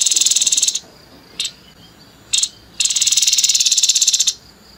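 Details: Grey-headed babbler giving coarse 'nembak kasar' song, a rattling high trill, two quick buzzy notes separated by silences, then another sustained rasping trill of rapid pulses.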